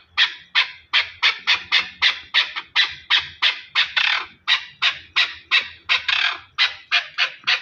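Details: Loud, harsh chukar partridge calls in a fast, regular series, about three strong rasping notes per second, each rising sharply then fading, with little other sound.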